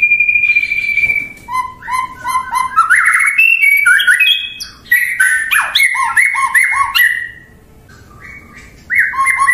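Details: White-rumped shama (murai batu) opening with a steady high whistle, then a dense, varied run of chirps, slurred whistles and stacked notes before a quieter gap and a final phrase.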